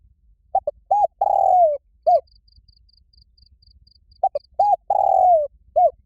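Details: Spotted dove giving a loud, resonant challenge call to fight. Two short low coos lead into a long drawn, falling croon and a final coo. The phrase repeats after a pause, over a faint high ticking series.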